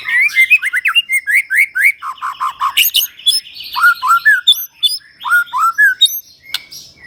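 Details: White-rumped shama from Medan, Indonesia, singing loudly: a fast stream of crisp whistles, chirps and sliding notes, some very high and sharp, in bursts of several phrases with brief gaps, one short click near the end.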